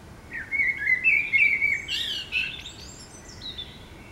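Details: Common blackbirds singing in the middle of a city in the morning: a mellow, fluting whistled phrase with several rich notes, ending in a squeaky, twittering high flourish; quiet background.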